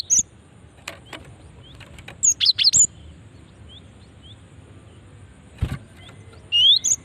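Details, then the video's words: Female cinereous tit call meant to attract other cinereous tits: an opening high note, a tight burst of four or five rapid chirps midway, then a closing pair of upslurred high notes, with light clicks between. "Ampuh memancing bunyi gelatik batu betina ini"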